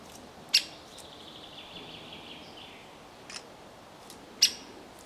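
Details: A great spotted woodpecker fledgling hopping clumsily on a pine gives two sharp, high 'kik' calls about four seconds apart, with a few fainter notes and a thin background trill between them.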